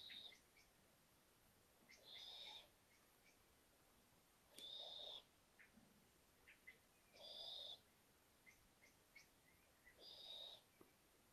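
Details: A brood of five young little owl owlets venturing out onto a balcony give hoarse, hissing screeches, each about half a second long and repeated every two to three seconds, with faint chirps in between.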